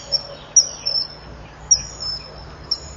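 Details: Common kingfisher at its nest with two eggs, 1 June 2015, 06:30, the female hearing the male and leaving: thin shrill very high whistles, short notes and drawn-out peeps every half to one second over faint hum.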